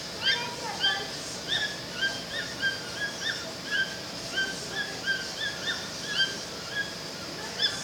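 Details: A pair of toucans singing in the forest near Manaus, Amazonas; repeated short yelping notes roughly every third of a second, steady and rhythmic, over dense forest insect and bird background.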